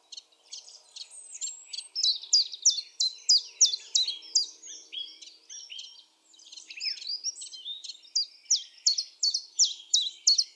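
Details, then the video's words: Song of a Common chiffchaff at Topbjerg (Mønsted), 5 April 2020: two bursts of crisp, high chiff-chaff notes, evenly paced at roughly three per second, separated by a brief pause, with other birdsong faintly behind. "Gransanger / Chiffchaff (Phylloscopus collybita)"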